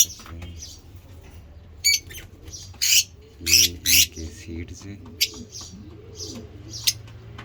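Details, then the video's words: African lovebirds of mutation colours, kept birds shown feeding, give scattered harsh broadband screeches and short chirps at irregular intervals, with soft low cooing and murmuring beneath. "lovebird ngekek"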